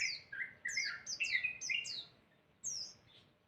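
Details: Masteran birdsong meant to make other birds reply: a quick jumble of falling whistles, high notes alternating with lower slurred phrases, ending in a short pause and one more descending note.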